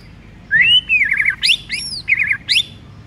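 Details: Morning song from a white-rumped shama, meant to stir silent birds into full song: a rising whistle, a wavering warbled phrase, arched high notes and another quavering trill.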